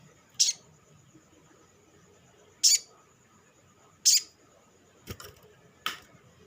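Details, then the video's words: Sunbird, locally called sogok ontong, used as a lure to stimulate other sunbirds to sing: sharp, very high, explosive chips spaced irregularly about every one to two seconds, five notes in all, over a quiet background. "SUARA PANCINGAN BURUNG SOGOK ONTONG; Merangsang sogon ijoan cepat bunyi"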